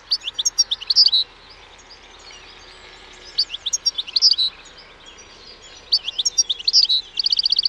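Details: European goldfinch singing: three bursts of bright, tinkling twitters and high chirps, each burst about a second long with pauses between, the last ending in a quick buzzy trill.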